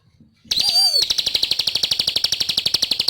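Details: Ciblek singing prolifically for a training recording: a brief slurred note that falls away, then a fast, steady run of sharp high chips, about four each second, ringing on to the end.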